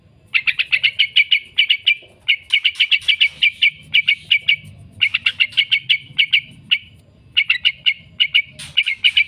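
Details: Yellow-vented bulbul (Pycnonotus goiavier), song.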